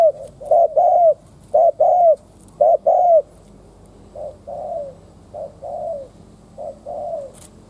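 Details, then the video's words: Spotted dove lure bird cooing to provoke wild doves: three loud phrases, each a short wavering note and a drawn-out coo, followed by four softer, plainer coos from a more distant dove. "Tiếng cu mồi đất thúc - gù kích bổi"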